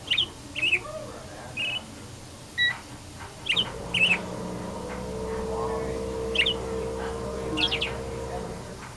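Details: A pet parakeet, after being startled by falling confetti, sings happily in response to a phone sound: short, bright chirps in quick bursts, some rising and falling, over a low steady hum with faint voices and household sounds.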